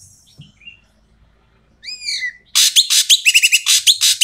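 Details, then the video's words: Noisy Asian pied starling used as a lure for reluctant starlings: a few thin descending whistles, then a sudden burst of loud, coarse, raspy chatter with interspersed short whistled notes, fast and uneven. "BURUNG EKEK KELING BERISIK SUARA KERAS DAN KASAR COCOK UNTUK PANCINGAN BURUNG EKEK MALAS BUNYI"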